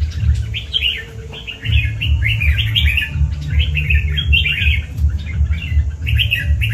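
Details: Kept red-whiskered bulbul singing short, rich warbled phrases of quick rising and falling notes, repeated with brief gaps, over a steady low thumping beat about every third of a second.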